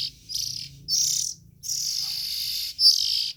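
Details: Nestling Oriental magpie-robins giving several hissy bursts, starting with short rasps and ending in a long continuous scratchy hiss of over a second, followed by one brief call.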